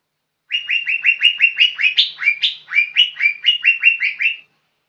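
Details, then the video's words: Young lesser green leafbird singing hard. Four seconds of rapid, repeated chirping upslurs, with several higher, brighter accented notes woven through the steady run. The setting is otherwise silent. "Cucak ijo muda super gacor"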